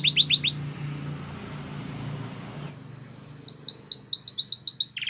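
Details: Canary, possibly a Spanish Timbrado training song, sings quick bright runs of rising whistled notes, about four a second, with a short opening burst; a low hum fills a pause midway.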